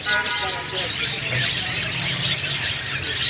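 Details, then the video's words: Budgies sing as a group: a constant, high, rasping twitter of overlapping chirps, plus a brief squealing tone early on and a low rumbling hum underneath. "বাজরিগার পাখির ডাকাডাকি ~ বাজরিগার পাখি কিচিরমিচির শুনতে ভালো লাগে | Budgie birds singing"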